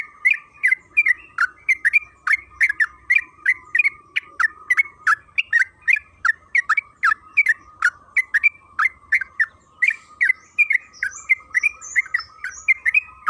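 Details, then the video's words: Yellow-vented bulbul (trucukan kebo) recording used as a lure for long rapid singing: a sustained, regular series of gurgling, liquid notes for over thirteen seconds, with faint higher chirps near the end. "Pancingan trucukan agar bunyi‼️Suara burung TRUCUKAN KEBO Gacor ropel Panjang"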